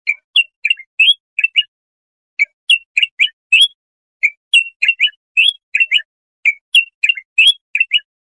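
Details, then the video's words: Bulbul song recorded for tutoring young goldfinches or hybrids: short bubbly whistled phrases of two to four quick rising and falling notes, repeated after brief pauses, with no other sounds. "تغريد طائر البلبل"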